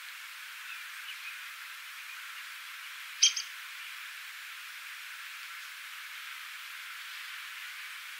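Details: Downy woodpecker (Dryobates pubescens) calling in Cincinnati, Ohio: one sharp, high pik note with a faint echo just after, against steady background hiss.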